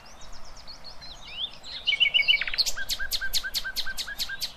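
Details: Nightingale song intended to train goldfinch and hybrid youngsters: soft twittering, a quick trill of bright notes, then a loud, evenly spaced series of sharp clicking notes about four per second.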